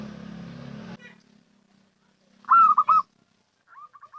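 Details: Local zebra dove lure call: a low mechanical hum fades out, then a loud rolling trilled coo phrase, followed after a pause by a few short soft coos.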